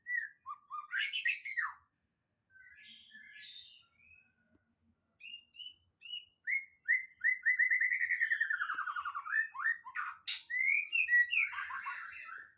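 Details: Young wild white-rumped shama from the Sumatran forest practising its song: varied whistles, short chirps and rapid trilled runs, a long buzzy descending series near the middle, sharp high notes and scratchy phrases, delivered in uneven bursts with brief pauses.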